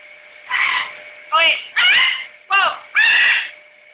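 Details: A pet blue-and-gold macaw whistling indoors: five voiced, speech-like calls over four seconds, several with sliding rising-then-falling tones, separated by short pauses over a faint steady hum.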